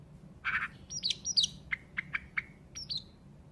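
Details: Nightingale singing more faintly: a rough burst, sharp downslurred whistles, then a row of short clipped notes, over a light background hiss.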